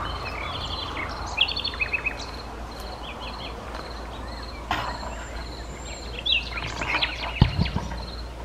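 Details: Luscinia megarhynchos megarhynchos singing in Sithonia, Chalkidiki, Greece, 10 May 2020: separated phrases of quick chattering notes and rapid repeated whistles between pauses, with rhythmic high dashes behind, a sharp knock and low rumbling noise.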